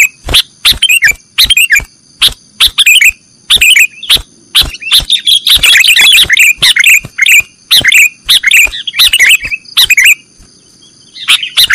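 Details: Nggaruda-style song of a sooty-headed bulbul for cage-bird training: sharp clicks and short chattering phrases, densest midway, set over a constant thin high-pitched tone.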